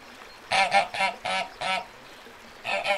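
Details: Loud, broad, honking quacks from a pond duck, five in quick succession, a gap, then two more.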